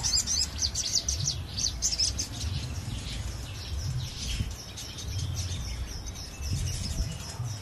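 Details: Crested jay calling energetically, recorded for luring birds: a dense, high, twittering chatter of rapid notes for about three seconds, then fading to sparser chirps, with steady low hum beneath.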